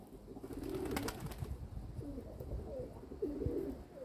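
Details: A kept domestic pigeon group: a brief burst of rustling and flapping opens, then soft, short, bubbling coos rise and dip in several separate phrases.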